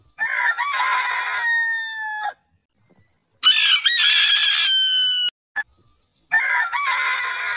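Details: Roosters of heritage breeds crowing: three crows, each opening with a hiccuping double note and then a long, gently falling tone, with a brief click between.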